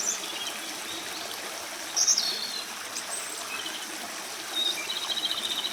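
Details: Japanese robin singing for minutes on end after coming out into the open; scattered thin high notes, then a fast, evenly pulsed rattle near the end, set against constant flowing water.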